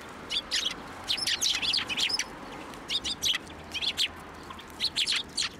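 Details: Sparrows at a Tenmangu shrine on 1 January 2024, hopping onto a hand to be fed; dense bursts of bright, sharp chirps and tweets, overlapping in quick clusters throughout, with faint background hum.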